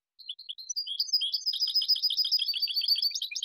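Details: Goldfinch song in a silvestrismo recording: a few scattered high notes open into a long, jumbled, tinkling twitter of mixed chirps and trills, sustained and lively, with no other sounds.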